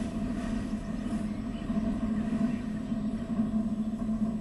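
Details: A low steady hum with fluctuating background rumble and no distinct animal calls.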